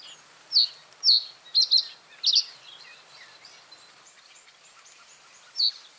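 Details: Common reed bunting delivers a quick phrase of high chirps and doubled buzzy notes, pauses for several seconds, then adds a single note. Faint bird twittering is heard behind it.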